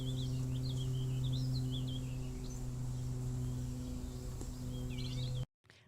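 A Warbling Vireo gives a fast, rambling run of squeaky, looping warbled notes, set over a loud steady low hum like a droning bowl.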